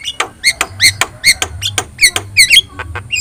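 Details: Javan myna, yellow-eyed, uttering a run of short bright whistled chirps and clicks, uneven in spacing, with a faint background hum.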